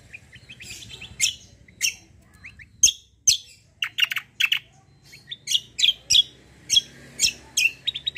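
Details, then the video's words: White-eye described as a 'fighter' bird singing a 'kombo' style song meant for tutoring other songbirds: rapid sharp high chirps and short trills in irregular bursts, several notes every second, over faint low background hum. "KECIAL KOMBO CUCAK KOMBO FIGHTER GACOOR"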